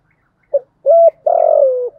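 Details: Spotted dove cooing for training lure birds: a faint short pip, a clear steady hoot, then a long drawn, slightly tremulous coo easing downward in pitch. Faint other chirps sound in the background.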